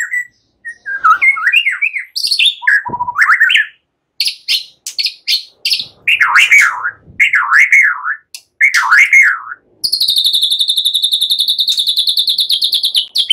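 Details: Easygoing white-rumped shama song that runs into cililin and ciblek imitations, used to trigger other songbirds: wavering slurred whistles and short high chips, then a long steady high buzzing trill over the last few seconds.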